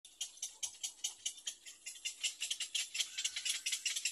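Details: Two very hungry little egret chicks begging in the nest: a fast, dry clattering rattle of sharp ticking notes, about five per second, growing denser and louder toward the end.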